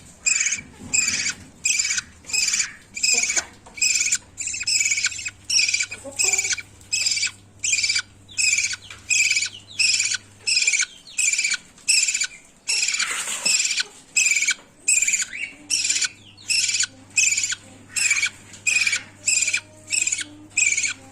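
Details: Budgerigar chicks being fed by their mother give harsh, raspy begging calls in a steady pulse, more than one per second.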